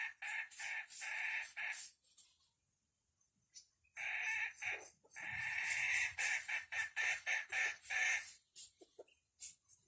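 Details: Red junglefowl used as a decoy to lure wild junglefowl: harsh, rapid clucking bursts in quick runs, a quiet gap of about two seconds, then a longer excited series of loud rasping notes.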